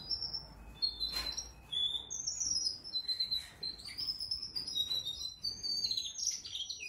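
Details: Four-month-old canary kept indoors in a bird room, singing a continuous high, whistled warble of gliding, rising and falling phrases with quick trilled runs, nearly unbroken throughout; a single sharp click sounds early on.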